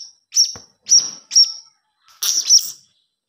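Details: Begging calls of a young blue-crowned hanging parrot, used as a lure call: high shrill squeaks in a small cluster of three, a pause, then a doubled burst, clean and loud against silence.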